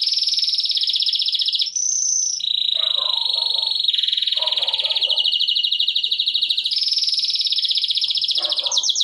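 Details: Belgian canary song recommended for tutoring chicks: long continuous rolling trills that switch pitch several times, with lower warbled notes in between.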